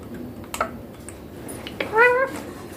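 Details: Young green Indian ringneck parakeet, said to be talking clearly in Hindi with words like mummy papa; one short harmonic rising-then-level phrase near the end, after faint clicks and room noise.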